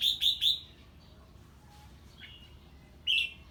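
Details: Red-whiskered bulbul answering a strange bird's voice with ché singing: three rapid bright notes at the start, then near silence, then a single sharp note near the end.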